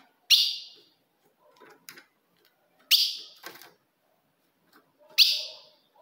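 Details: Ultramarine grosbeak female call, played to provoke a male: three sharp, loud chip notes that fall into a short ringing tail, about 2.5 seconds apart, with faint clicks and soft rustles in between.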